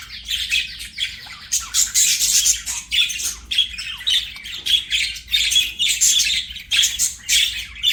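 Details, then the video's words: Budgerigar kept as a pet, chattering in rapid, uneven bursts of buzzy, high chirps and squawks that follow one another with brief gaps, over a low steady hum. "BUDGIE CHIRPING SOUNDS"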